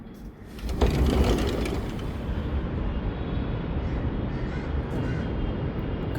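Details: Low roaring engine noise swells after the first second and continues steadily, like an aircraft overhead, with no animal sounds.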